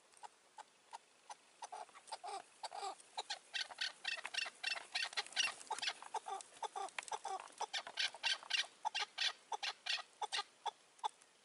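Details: Chukar partridges, a caged roof decoy and wild birds on the ground, in May 2024. Rapid, uneven clucking chuck notes build into a dense, rhythmic series lasting over ten seconds and grow louder and more regular toward the end.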